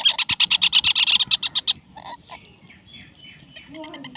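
A young parakeet gives a fast burst of harsh, high rasping notes, about eight a second, then trails off into softer scattered chirps.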